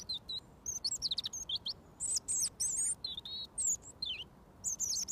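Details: Robin singing close up near a person who has fed it daily for over a year; it sings until given mealworms. High, thin whistled phrases with sharp rising and falling notes in short bursts separated by brief pauses.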